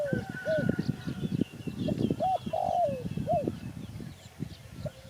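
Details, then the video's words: Repeated gentle coos from a spotted dove, short rounded notes then a drawn-out descending croo, against constant low noise and a faint thin whistle from another bird. "Sound Spotted Dove"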